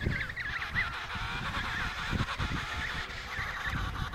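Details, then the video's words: At the Riiser Larsen emperor penguin colony, Antarctica, 72°06 S 15°06 W, November 2010, a clear undulating, wobbling call stands out against a murmur of other penguins and buffeting wind. "Emperor penguins of the Riiser Larsen Colony"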